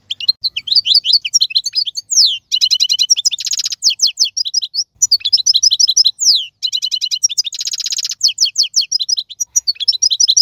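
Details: A wild European goldfinch of the 2022 season sings long phrases of rapid chirps, buzzy rattling trills and descending whistles, the phrase pattern repeated twice.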